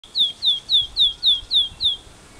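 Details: Rufous Whistler singing in a park in Perth, Western Australia: a quick series of seven clear, down-slurred whistled notes, about four each second, over a quiet background.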